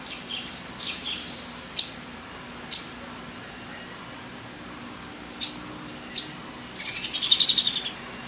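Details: Female Sumatran leafbird: soft scattered high twitters and several isolated sharp clicks, ending in a fast rattling run of high, evenly spaced chirps.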